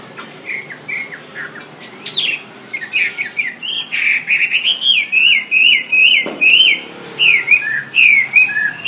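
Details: Wambi, a songbird tutor, delivering sharp chips and then a rhythmic series of whistled, up-and-down notes at about one per second, with one sudden clack midway.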